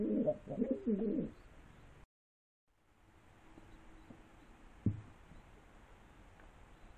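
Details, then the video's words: Pigeons coo in a short burst of dense, throaty, rolling sound lasting about a second. The rest is a quiet room with a single soft knock. "Περιστέρια / Pigeons"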